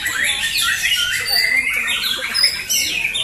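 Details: Caged White-rumped shamas in a fighter singing competition, Jatisari, Bekasi, Indonesia, Friday 14 June 2024. Loud sweeping whistles and rapid chattering notes rise and fall in a nonstop torrent from several birds at once.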